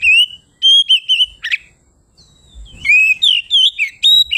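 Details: Loud ngeplong song of an Oriental magpie-robin, sung to challenge rival birds: short whistled phrases and a harsh chip, a brief pause, then a long run of varied, rapidly repeated whistles rising and falling.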